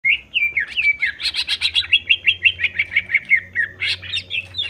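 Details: Greater green leafbird; song; provoking other leafbirds into excited singing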